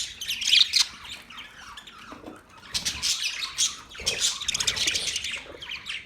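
A parrot gives bursts of harsh, high chirps and squawks, with short pauses between runs of scratchy calls.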